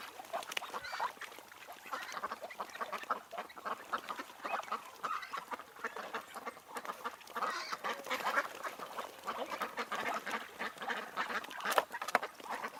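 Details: A more distant gathering of ducks and drakes at Tsnyanskoe Reservoir, Minsk, in July, producing continuous soft, overlapping quacks and chatter at a steady level.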